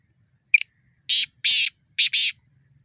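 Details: Wild black francolin (kala teetar) giving its fighting or challenge call: a short sharp note, then four harsh, buzzy, grating bursts delivered in two quick pairs.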